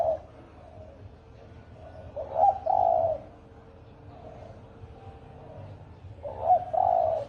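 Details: Spotted dove giving a fast 'thổ ồm' style call meant to provoke a 'thổ đồng' bird: two husky, mid-pitched coo phrases, each a short note followed by a longer rolling coo, separated by about four seconds of low background hum.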